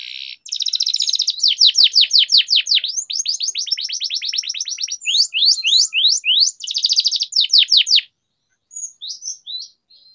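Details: Canary song used as singing training; long loud runs of rapid downward-sweeping whistled notes in quick repeated series, changing pace between phrases, followed by a short quiet stretch of scattered soft notes.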